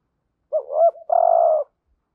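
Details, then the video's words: Decoy spotted dove calling to draw wild doves, urging coo in the hap boi voice: a bent two-part coo followed by one long, even, slightly buzzy drawn-out coo on a clean quiet background. "Tiếng cu gáy mồi ĐỦ BÀI GỌI THÚC GÙ Giọng HẠP BỔI kích bổi nhanh nổi"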